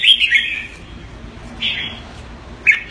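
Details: Caged pet Red-whiskered bulbul in Singapore giving its keke call on command: three short bright chattering bursts, the first longest, separated by quiet gaps, with faint room hiss between.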